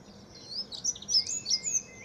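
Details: Dunnock (Prunella modularis) singing in a back garden, dated 9 4 14, gives a quick, high, jangling warble of thin squeaky notes lasting about a second and a half, over faint background hiss.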